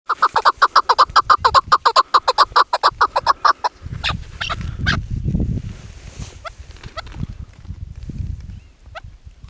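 A female Chukar partridge gives a fast run of harsh, clucking notes, about five a second, for nearly four seconds. Low rumbling noise and a few faint, rising notes follow.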